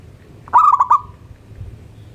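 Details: Single song phrase from a local zebra dove in the morning: a quick stuttered run of four cooing notes sliding into a short fading hum, then quiet.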